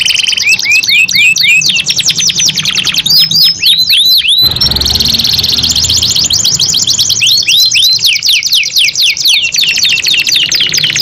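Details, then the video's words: Two canaries singing at length against each other: quick stacked trills and looping whistles, a short break of broadband noise mid-clip, then a long continuous rapid trill. "KENARI GACOR PANJANG SALING NEMBAK TEMBAKAN 2 IN 1 | CANARY SINGING"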